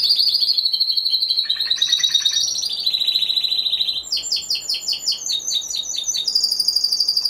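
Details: Timbrado Español canary competing in the individual C2 class, 26 November 2015; continuous song of high rolling trills stepping between pitches, with a lower rattling section and later fast clipped notes.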